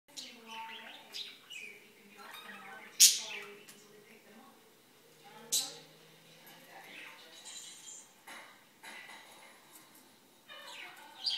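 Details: A pet budgerigar, excited while watching a video of a talking parakeet indoors, gives warbling chatter with constant soft murmurs and a few sharp, high chirps, with muffled voices and indoor sounds mixed in.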